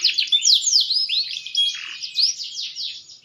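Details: A green canary, maturing, delivers a brisk warbling run of sweeping high whistles and rapid trills, bright and continuous, with one brief lower buzzy note midway.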